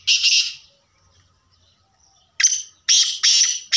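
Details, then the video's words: Kala tetar, the black francolin: one harsh grating note, a pause of nearly two seconds, then a rapid run of four loud rasping notes. "black Francolin voice"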